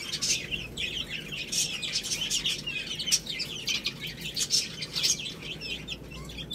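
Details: Chicks feeding on rice, giving continuous high, thin peeps in an overlapping chorus, punctuated by crisp pecking clicks.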